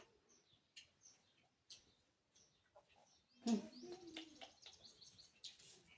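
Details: A pet talking Alexandrine parakeet gives soft, scattered chirps, then a louder burst of harsh, word-like chattering in the last few seconds, amid human speech.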